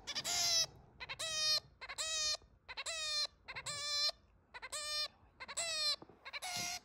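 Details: Pet zebra finch kept at home repeats loud, nasal, trumpet-like beeps about once per second. Each note is evenly held, with quiet gaps between them.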